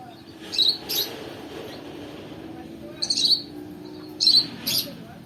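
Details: High, shrill lovebird chirps from a training session played with a friend's lure call, coming in short clusters about every three seconds while quiet talk and room noise continue below.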